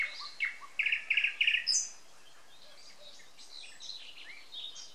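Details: Several birds singing on a May 2020 morning in Samara Oblast, Russia; three quick bursts of sharp repeated chips stand out early, followed by softer high twittering from other birds.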